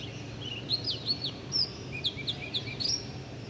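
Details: Birds chirping: quick high, sweeping chirps and short twittering notes, some rising and some falling, scattered through the clip over a steady background hiss.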